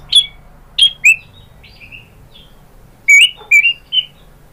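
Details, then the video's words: White-rumped shama singing to provoke other shamas to answer; spaced, clear whistled notes with sharp onsets, some slurred upward, given in short bursts separated by quiet gaps. "pancingan AMPUH ‼️ MURAI BATU manapun jadi NYAUT ikut GACOR"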